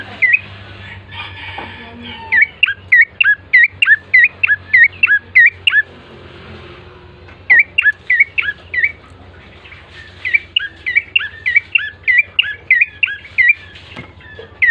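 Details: Bar-winged prinia song played as a lure to prompt birds into singing: three long series of sharp, curling chirps repeated quickly, broken by quiet gaps, with some low background noise.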